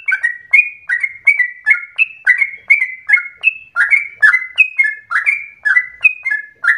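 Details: Bubbly, chattering song of a yellow-vented bulbul, played to coax other bulbuls into long, continuous singing; short liquid notes alternate between higher and lower pitches in a quick, unbroken sequence against a quiet background.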